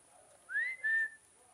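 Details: A peacock being fed on a rooftop calls once, a bright rising whistle-like note followed by a flat held tone, with a low background hum.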